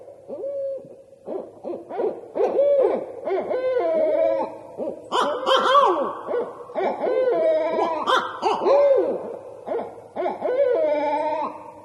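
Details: A pair of Barred Owls in a loud, wild territorial duet, with overlapping rising and falling hoots, cackles and wavering caterwauls that swell and break continuously.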